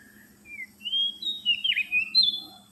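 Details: Oriental magpie-robin lure song: a continuous, warbled, rich whistled phrase that rises and dips, with fluid slurred notes growing louder toward the end, over a faint low hum.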